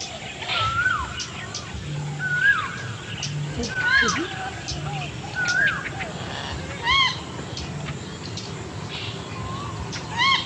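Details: A male bronze-winged jacana sings to attract a female during breeding, giving short, nasal, down-slurred whistles about every second, with other birds calling and a low hum behind.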